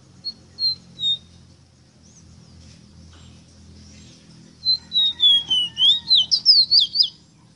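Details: Ruddy-breasted seedeater song used to teach kept birds to sing. Three short whistles open, then a pause with soft background hum, then a full phrase of descending slurred whistles ending in rapid rising-falling twangs.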